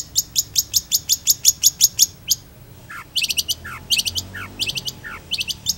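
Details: Long-tailed shrike, actively singing: a rapid even trill of bright high notes for two seconds, then bursts of clustered chirps mixed with lower, downward-slurred whistles.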